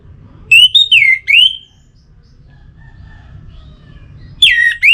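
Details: Orange-headed thrush whistling, played to stimulate singing: a loud phrase of swooping, slurred whistles, a pause with faint soft notes, then another looping whistled phrase, over low background hum.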